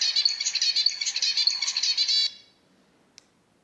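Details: Zebra finch producing a fast run of harsh, buzzy, stacked notes for about two seconds, then falling silent except for a single click.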